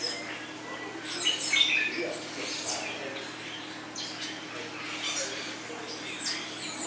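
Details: A blue-naped mousebird (Urocolius macrourus) at Vogelpark Walsrode, Germany, gives high, squeaky chirps and scratchy squawks in irregular bursts, several per second, over a faint murmur of background voices.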